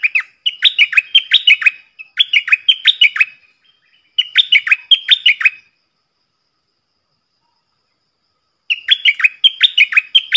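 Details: A cream-vented bulbul in full doubled 'phleng boen' song, 18 June 2021: four bursts of rapid, chattering whistled notes, each about a second and a half long, followed by a long silence before the last burst.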